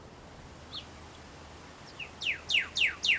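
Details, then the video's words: Male Pyrrhuloxia calling to his mate in the desert near Tucson: after a quiet start, four loud, sharp downslurred notes, each sliding from high to lower pitch, come about every quarter second. A faint thin whistle sounds early on. "How many calls does Pyrrhuloxia Male need to call his Mate?/Berapa cara Piruloksia pangil pasangan?"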